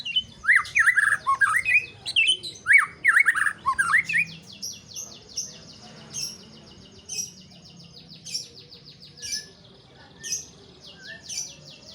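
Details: White-rumped shama singing: rich varied whistled phrases for about four seconds, then a sequence of short high sharp notes repeated roughly every second over a faint steady background.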